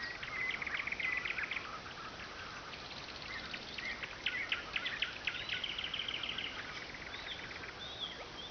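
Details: Loud nightingale singing on the Oka, keeping people from sleep; fast rattling trills of repeated pulses, then buzzy rising phrases and sharp clicks, several times a second, against broad background hiss.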